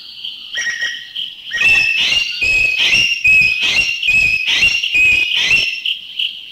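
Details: A Green Magpie in Thailand delivers a rapid run of loud, strident, rasping calls, nearly ten in quick succession. High whistles of a Greater Necklaced Laughingthrush sound in the background.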